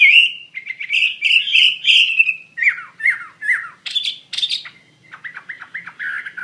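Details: Wambi mandarin bird singing actively: loud, rich whistled phrases and harsher squawky notes, broken by short pauses, then a softer chattering sequence near the end.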